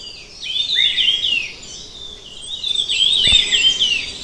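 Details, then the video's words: Minla ignotincta, the red-tailed minla, giving two fluid whistled phrases of rapid wavering notes that slide lower at the finish, a quiet pause between them and a single click late on. "Khướu lùn đuôi đỏ | Red-tailed minla | Minla ignotincta"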